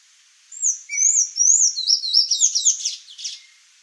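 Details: Sayaca tanager singing: a few thin, high, upslurred squeaky notes, then a fast jumbled twittering run of high squeaks lasting about three seconds.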